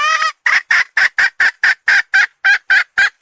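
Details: Hen calling: one long harmonic note, then about a dozen short, loud, even clucks in quick succession, roughly four per second, with nothing else heard.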